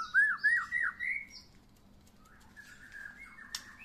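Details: White-rumped shama sunning itself after first moult; four loud rising whistled notes in quick succession, followed by quieter drawn-out warbling and a sharp click near the end.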